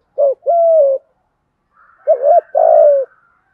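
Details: "Thúc gù" cooing in the "giọng thổ", "hạp bổi" voice of a spotted dove. Two loud low phrases, each a short coo then a sustained, slowly falling coo, with a brief hiss before the second phrase.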